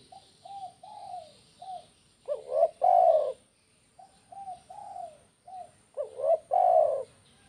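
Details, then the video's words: 'Kuk 1' cooing of a spotted dove, used to encourage doves to call freely: soft short coos build into a loud rolling double coo, and the pattern repeats twice. "SUARA BURUNG TEKUKUR KUK 1"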